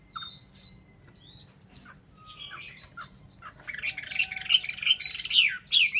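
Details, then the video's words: Chinese hwamei in song, starting with soft scattered whistles and building into a dense, loud jumble of varied warbled notes. "họa mi"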